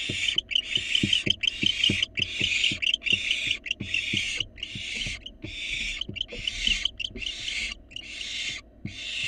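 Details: Begging wild barn owl fledgling at a nest box during a rat delivery, giving a fast series of about twelve broad, screechy hissing bursts, with soft clicks and taps in the background.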